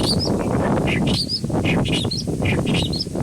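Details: A clamorous reed warbler in Kashmir riverine grassland gives loud, scratchy chattering phrases of short, squeaky notes, about once a second, over a steady low rumble of wind or flowing water.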